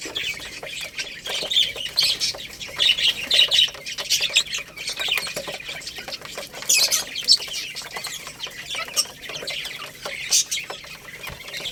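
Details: Young Lohmann Brown chicks, a growing little rooster and baby hen, eating rice; dense high chirps from several birds overlap throughout, with bursts of louder peeps and many sharp clicks in between.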